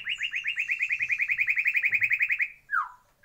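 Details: Breeding-aviary white-rumped shama delivering a fast, steady series of about twenty-five rich repeated notes, roughly eight per second, followed by a loud descending whistled slur.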